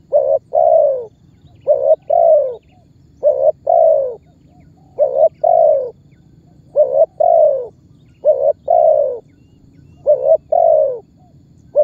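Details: Spotted dove lure call, calling and pressing to trigger other birds; about eight repeated phrases, each a quick doubled note then a long descending coo, delivered steadily with short pauses.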